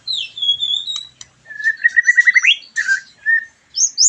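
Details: White-rumped shama song used to stimulate a bird after moulting and raise its excitement and breeding drive: clear whistled notes, a long steady high whistle, then a fast run of repeated rising notes and sharp upslurs.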